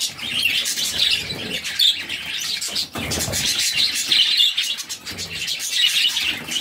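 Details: A mother budgerigar feeds her brood of six chicks, which beg with insistent, harsh high chirps in fast overlapping bursts, swelling every second or so, with a soft knock partway through.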